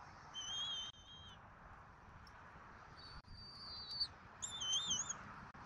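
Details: Bald eagles at their Southwest Florida nest during dinner on 14 February 2024, two adults and an eaglet, recorded by a nest camera: three high, drawn-out whistled notes, the last one wavering up and down, over a faint steady hiss.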